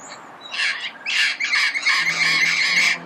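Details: Harsh, rapidly repeated screeching squawks of a red-crowned amazon, recorded early morning in Pasadena, building into a steady grating chatter.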